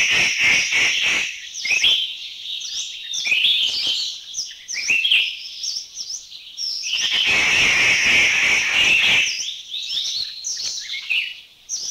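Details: Grey Treepie in Thailand, a bird also noted flying overhead, delivering long bouts of harsh, squeaky chatter with quick, sliding metallic notes, broken by short gaps and a sustained rasping stretch midway.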